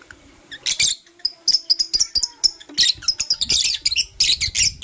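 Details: Lovebirds, Blue Opaline and Parblue Euwing Opaline, calling in the morning with rapid piercing chirps, clipped and repeated several times a second in near-continuous chatter.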